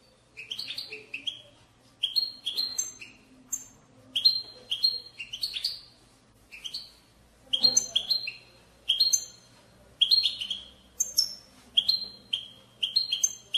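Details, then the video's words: A European goldfinch delivers a sustained batbata to stimulate goldfinches to sing. Fast runs of liquid twitters and buzzy chirps come in groups of two or three, almost continuously, with a low hum and a faint knock in the background. "أقوى بتبتة لتحفيز الحسون على التغريد"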